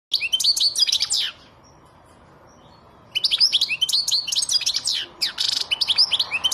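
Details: European goldfinch singing in the silvestrismo context: a burst of rapid, liquid twittering and tinkling notes, a pause of about two seconds, then a longer run of bright, jangling trills and buzzy notes.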